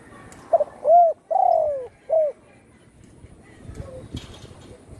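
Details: Spotted dove, once shot with a broken wing and now kept at home, gives a single four-part coo: quick clipped opener, rounded coo, drawn-out descending coo, then a short arched closing note. Faint background noise follows.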